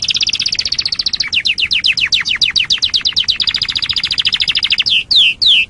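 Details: Canary master song for tutoring other songbirds: rapid high trill shifting into a run of quick descending notes, then another steady trill and three loud downward-sweeping whistles at the end.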